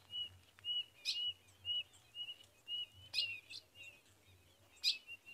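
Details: In Rio Grande do Norte caatinga, a female ultramarine grosbeak calls to stir a male into mating, giving loud scratchy chips about every second over a steady series of thin, short whistled dashes and a low background hum.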